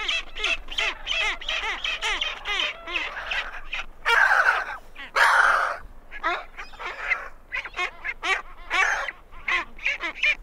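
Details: Great skuas invading the territories of two adjacent penguin pairs give rapid runs of harsh, nasal yelping notes, several a second, broken by two louder raspy bursts, while other seabirds call alongside.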